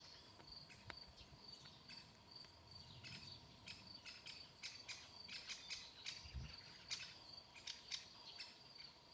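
Young great spotted woodpecker giving a steady high, buzzy chatter broken by sharp, clicking notes.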